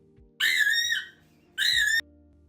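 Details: African grey parrot giving two loud, clear whistles, the first about half a second long and slightly falling, the second shorter, with faint background music.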